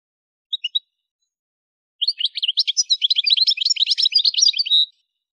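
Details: Souk Ahras, Algeria, Algerian goldfinch: a quick three-note chirp, then a continuous three-second stream of rapid, jangling high twitters and buzzy trills.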